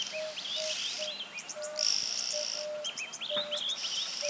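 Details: Red-billed oxpeckers on the S3 dirt road in Kruger National Park give harsh, hissing buzzes and quick high twitters; a steady low piping note repeats in the background, with other chirps and insects.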